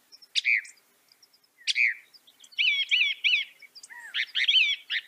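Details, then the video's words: Northern mockingbird (Mimus polyglottos) song with mixed phrases: two separate sharp downslurred notes, then a cluster of quick warbled notes and a low downslur, followed by louder jumbled chattering phrases. "Veja o canto do pássaro, ave zombeteira"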